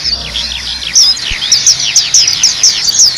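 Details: High-pitched, rapid twittering from a black-capped white-eye, used as tutor song for training birds: quick downslurred chirps punctuated by brighter sharp notes about twice per second.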